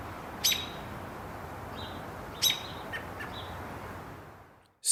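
American robin alarm calls: two sharp, high, explosive notes about two seconds apart, with a few fainter clipped notes between, over a steady background hiss.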